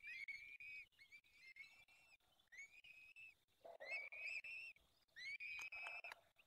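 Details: Peregrine falcon nest in the Barycz Valley, Poland, on 23 April 2020 at 19:28 during the fifth feeding of the day; insistent, squealing calls, each a drawn-out wail, repeated about every second, growing harsher toward the end.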